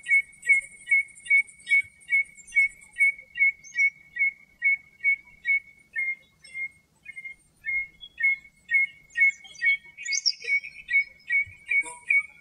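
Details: A common redshank in Greek countryside sings a long run of clear, piping whistled notes, about two or three a second, on one steady pitch, with a faint high hiss at the start.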